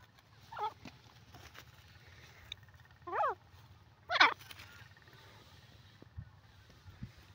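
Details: Francolin calling: three separate loud, harsh, descending squawked notes spaced about a second apart, the last strongest, over a faint low hum.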